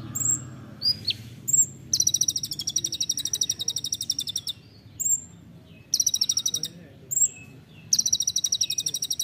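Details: Olive-backed sunbird in the dense 'nembak rapat' song style, recorded to train songbirds: short, thin, high whistled notes alternate with long rapid trills of sharp ticking pulses, about ten per second.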